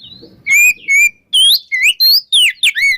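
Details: Oriental magpie-robin in the morning giving "ngeplong" song to draw out silent magpie-robins: a faint opening whistle, then loud, pure whistled notes, some slurred upward, some downward, in quick succession with a little background murmur.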